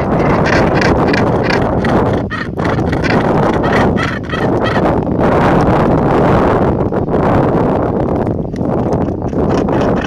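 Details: Northern gannets on Helgoland, Germany, keep up a dense, raucous chorus of harsh, grating calls, many birds overlapping without pause, over a steady rushing background of wind and surf.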